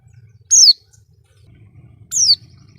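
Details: Oriental white-eye, a masteran recording for training cage birds: two high, clear downslurred chirps about one and a half seconds apart, over soft low background murmur.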